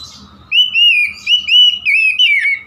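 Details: Oriental magpie-robin in continuous gacor song, a steady stream of clear, looping whistled notes that rise and dip, linked closely together over a faint low background hum.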